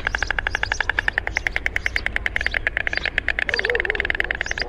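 White stork clattering its bill in a fast, even rattle of about ten dry knocks per second, with a low rumble of wind or distant traffic behind.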